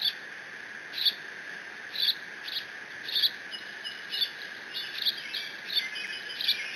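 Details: Young bald eagle alone in its Decorah nest, filmed by a live nest cam on 30 June 2017, squeeing while mantling a fish its father delivered; thin high squeaky chirps repeat about once a second over a steady high buzzing drone.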